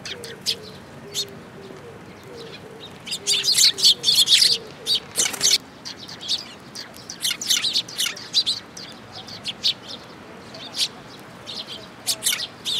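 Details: Several sparrows collecting at a feeding place on a bridge railing, Tenmangu shrine, 9 June 2022; loud chattering chirps crowd together early, then sparser single tweets follow, with faint low cooing tones at the start.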